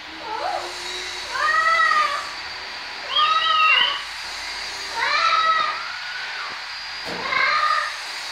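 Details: Trained talking Blue-fronted amazon parrot, a pet on a stand, repeating an arched, nasal, meow-like cry about every two seconds, four times, each slightly rising then falling, in a quiet indoor room.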